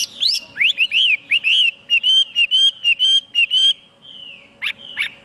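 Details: Chinese hwamei song of loud, clear whistled notes, each arching up and falling, repeated rapidly about a dozen times before a long gliding whistle and two sharp high notes; a steady low hum lies underneath.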